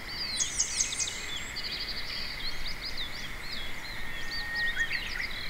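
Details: Grey wagtail singing contentedly in an empty parking lot, with sharp, high, thin notes and quick twittering runs over a steady high-pitched hum and faint background noise.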